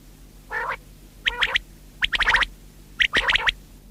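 Common quail: a low nasal note, then three sharp, liquid phrases of three or four clipped notes, about one per second. No other sounds stand out.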